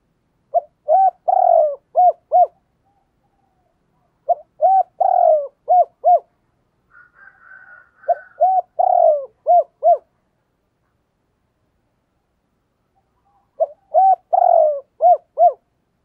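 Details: Spotted dove cooing in cu gù and thúc bổi style with calling coos, Thổ đồng voice, contest bird. Three phrases of five or six rapid mellow coos with one longer slurred note, a faint rough call between phrases.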